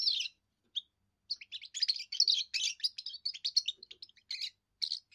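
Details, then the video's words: First song of a young European goldfinch, used to declare territory and attract females; a lively run of bright twittering notes and buzzy trills, nearly continuous after the first second, with brief gaps between phrases. "first song of a young goldfinch amazing wonderful singing"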